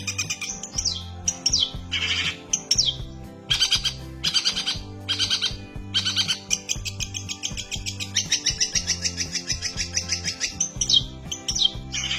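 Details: Long-tailed shrike (cendet), held in the hand yet still rolling on in full song, from Banyuwangi: varied high phrases mixing buzzy bursts, falling whistles and rapid chattering trills, with background music throughout.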